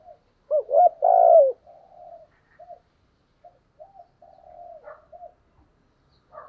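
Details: Spotted dove kept as a decoy to lure wild doves, 'thổ' voice style: a loud burst of mellow coos opens, followed by softer, scattered low coos and faint murmurs.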